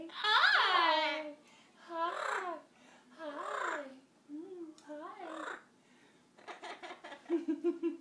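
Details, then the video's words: Pet Amazon parrot, excited to greet its owner arriving home from work: four loud, harmonic, swooping squawk-like calls spaced about a second apart, followed by a burst of clattering, rattling sounds at the end. "Amazon bird happy to see papa"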